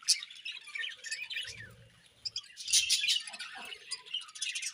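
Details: Morning feeding time for budgerigars: a steady stream of high, rasping chirps and warbles, with short louder outbursts and light low knocking sounds.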